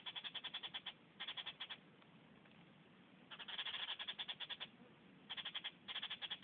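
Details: Groove-billed Ani (chik-bul) eating ants in northern Yucatan jungle gives bursts of rapid, high, liquid notes, about ten per second in short runs with brief pauses, over soft hiss; Yucatan jays in background.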